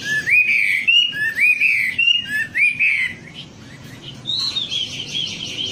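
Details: Song of the wambi on a lure track: clear upslurred whistles repeated about once a second, followed by a softer, higher, level twittering.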